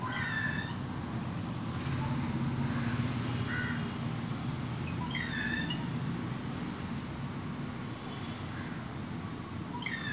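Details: At midday a small bird perches on a mango branch beyond a window and sings, captured on mobile; bright stacked notes come in short bursts roughly every few seconds against constant low background rumble.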